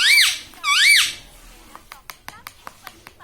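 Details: Talking pet parrot said to speak words like "Mummy" and "Papa"; two loud arched, nasal calls, each rising then falling, followed by a series of soft clicks and taps roughly every fifth of a second indoors.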